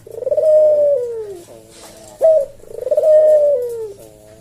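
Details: Javanese collared dove cooing slowly and melodiously, used as a tutor for caged doves: a drawn-out sliding coo, a gap, then a crisp accented note and another long mellow coo fading downward.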